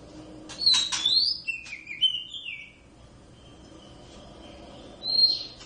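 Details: Oriental magpie-robin, one of a wild-caught pair kept indoors and singing through the day: loud, varied phrases mixing rasping chatters with bright slurred whistles that dip and rise, a quiet pause, then a final sharp whistled note.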